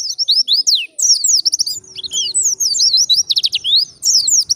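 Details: Indonesian white-eye singing in wild style, used to lure other white-eyes: rapid streams of thin, high whistled notes, many sliding steeply downward, tumbling together almost without pause.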